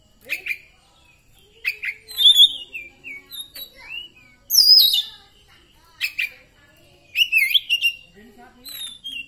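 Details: Oriental magpie-robin, poci type, singing after therapy in 'nembak' style: scattered short phrases of whistles, sharp chips and high rising notes, with loud bursts at intervals and quiet gaps between.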